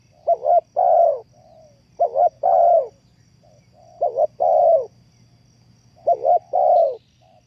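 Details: Spotted dove calling as a trapping lure, repeating a phrase about every two seconds: two short, quick coos followed by a longer, rough, rolling croo, four phrases in all against quiet background with a faint low hum.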